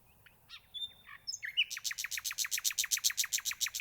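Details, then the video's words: Nightingale singing: scattered whistles and a sharp rising note lead into a fast, even rattle of about twenty loud repeated chirps, roughly five per second. "Tiếng chim hót ♪ Chim Dạ oanh ♫"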